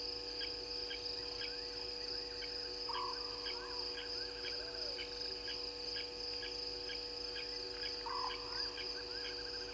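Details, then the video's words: At night at Gowrie dam on Djuma Game Reserve, Sabi Sand Wildtuin, South Africa, 04/06/20, a scops owl gives two brief purring trills about five seconds apart. A steady high cricket chorus and pulsing insects dominate the background. "Scops Owl"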